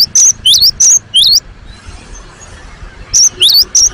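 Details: Cinereous tit (gelatik batu) in full, vigorous song: sharp high whistled notes in pairs, a dipping note then an upslurred one, repeated rapidly in bursts with a short pause between phrases.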